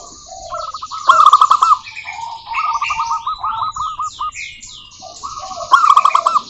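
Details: Local wild zebra dove from Indonesia singing, used as a lure to provoke other doves into song: rapid rolling series of low cooing notes in bursts, with busy high chirping and twittering from other birds throughout.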